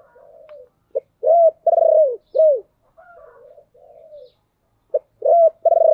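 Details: ['Decoy spotted dove cooing to lure wild doves: phrases of a short note, a rising coo, a long throbbing rolled coo and a falling coo, repeated, with softer lower coos between.']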